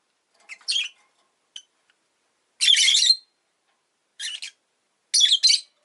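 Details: Rosy-faced lovebird kept as a pet, squawking in rough, broadband bursts: a short pair of chirps, then a longer grating squawk and two more harsh bursts with quiet gaps.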